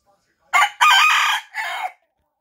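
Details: A bantam rooster gives a shrill, hoarse crow in three quick parts over about one and a half seconds: a short note, a long strained middle note and a falling end. It cuts into a work phone call, and the owner apologises for it.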